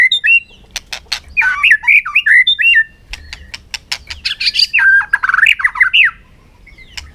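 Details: In afternoon sun, a white-rumped shama gives fighting song while hopping on its perch, mixing rapid dry clicks with loud rolling, wavering whistled phrases in two strong outbursts.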